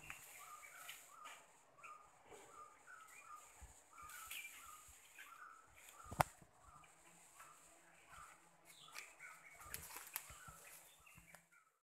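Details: A Sri Lanka (Ceylon crested) drongo in the Sinharaja rainforest gives a run of short, varied chirps and twangy notes at a quick pace, over a steady high insect hiss and a few other birds.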